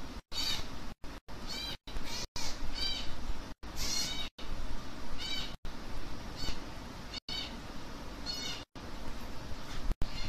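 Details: Rapid series of coarse, wheezy begging squawks from baby African grey parrots during hand feeding, a dozen or more short rasping bursts coming in quick succession with brief breaks, over faint indoor noise.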